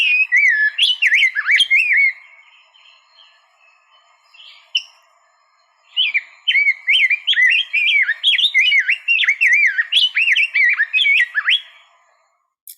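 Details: Rose-breasted Grosbeak singing its sweet, melodious, robin-like song, sung high in the forest canopy during May and June. Two bursts of rapid rich warbling whistles with short slurred notes, separated by a quiet pause of about four seconds.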